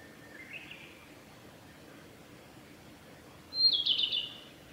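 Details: A male Narcissus flycatcher sings on Hinata forest road on 1 May 2021: a soft, low warble, then after a pause a louder, higher phrase of quick chirps and trills, over faint background hiss.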